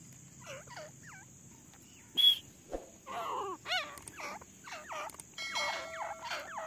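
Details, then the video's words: A female grey francolin (desi teetar) calls, used as a lure in the jungle, in a series of quick, bent, squeaky notes in bursts, over a steady high insect-like hiss and a sharp click. "Desi teetar madi ki awaz || desi female ki awaz"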